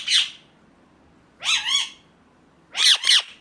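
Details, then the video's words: Indian ringneck parakeet uttering three harsh calls: a single screech, then a longer two-part squawk, then a sharp doubled screech. "ringneck 🦜 natural sound"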